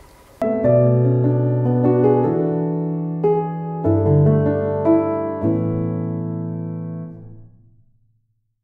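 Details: Piano music plays slow chords and a gentle melody that fades into silence, with no animal sound.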